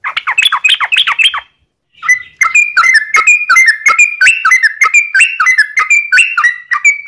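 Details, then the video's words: Sooty-headed bulbul rapid, drawn-out song used to lure other bulbuls into singing: a quick chirpy burst, a one-second pause, then a steady flow of liquid, whistled notes alternating in pitch. "trucukan gacor ROPEL PANJANG buat pancingan trucukan agar bunyi"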